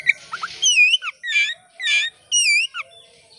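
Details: Oriental magpie-robin, a caged bird, sung as a lure to spur other birds to sing: varied clear whistled phrases, rising and falling, with harmonic overtones, in short bursts separated by brief pauses.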